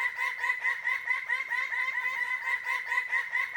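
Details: Male Greater Birds-of-Paradise displaying with frenetic dances as females come near: a loud, fast, nasal series of harmonic 'wauk' notes repeated several times a second, overlapping callers in a continuous chorus.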